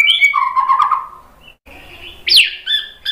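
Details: Murai batu (white-rumped shama) bait song intended to set other birds singing: a whistled note dropping into a warbling lower phrase, a brief quiet gap, then sharp high rising-and-falling whistles.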